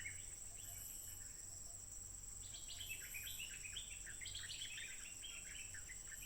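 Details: Singing nonstop, a wild stripe-throated bulbul on 15 June 2021, captured with a smartphone: faint notes at first, then a sustained cascade of quick, bubbly, chattering phrases. A high insect whine carries on beneath.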